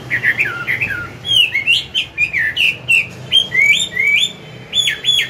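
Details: Chinese hwamei morning song, forest voice, used for training a young bird: lively sequence of short sweeping whistles and chirps, repeated in quick uneven bursts with slight room echo.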